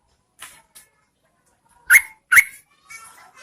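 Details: Female yellow-vented bulbul calling to lure and tempt males during the rainy season: a few faint chirps, then two loud, sharp, bubbly notes in quick succession and softer trailing chatter.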